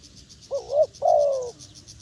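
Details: A single wild dove phrase: a brief wavering low coo, then a longer, smooth, steady coo, over a faint high pulsing insect hum.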